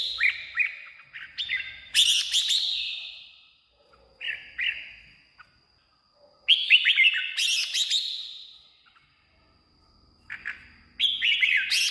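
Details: Song of the red-whiskered bulbul, played to stir caged birds or attract wild birds: repeated bubbly, whistled phrases of quick up-and-down notes, about four bursts separated by short silences.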